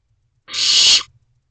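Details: Young barn owl in a nest box at night, 22 May 2023, begging its parents for food from the doorway; a single broad, harsh hissing screech lasting about half a second, steady then cut off abruptly.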